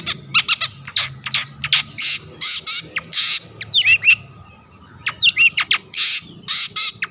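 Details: Chatty long-tailed shrike used as a lure to stir rival shrikes into singing, alternating loud harsh buzzy rasps with sharp slurred whistles that rise and fall, the phrases broken by short pauses.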